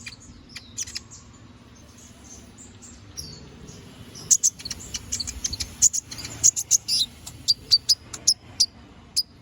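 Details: Canary in gacor ngobra singing, kept as tutor song for training magpie robins: soft high twitters at first, then a rapid sequence of loud, sharp, very high chips repeated several times a second, over faint low hum.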